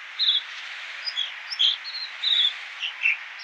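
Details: American dipper, also called water ouzel, singing high, sharp chirped notes in short bursts, some phrases repeated, roughly eight notes in three and a half seconds over a steady rushing hiss; road noise reduced.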